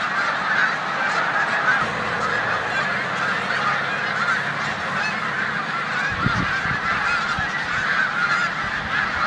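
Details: Snow goose flock in a corn field in Savannah, New York, 14 March 2020, with Canada geese present; a thick chorus of nasal honks, a low hum in the background and a brief thud near the end.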